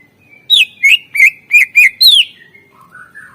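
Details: Greater green leafbird singing isian-style master song for prompting lazy birds: six loud, crisp chirps in quick succession, the last one falling in pitch, then a softer, lower warbling phrase.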